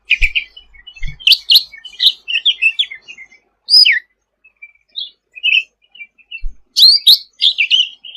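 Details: Sooty-headed bulbul singing energetically as a songbird tutor: dense jumbled chirps and warbles, a loud downslurred whistle near four seconds, then another busy burst of chirping, with faint low thumps.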